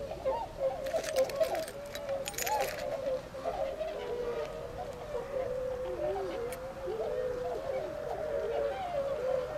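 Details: Flock of Tundra swans from a retention pond in Azumino, Japan, 22 February 2013, going to feed in nearby rice fields; continuous bending, warbling honks, with short bursts of broadband noise early on.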